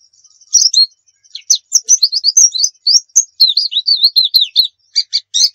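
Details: White-eye master song in nembak style: a thin steady high tone, then quick slurred chirps building into a chain of wavering, warbled notes and a few clipped buzzy ones at the end.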